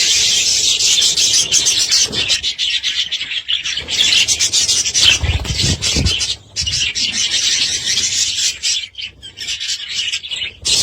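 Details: Budgies kept indoors chattering almost nonstop, a dense scratchy warble of rapid high notes with a few soft low knocks.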